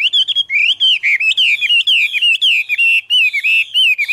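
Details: Autumn song of a Chinese hwamei, recorded 2017. Loud, clear whistled phrases slur up and down in quick succession, each note bending and repeating with hardly a pause. No other sounds are heard.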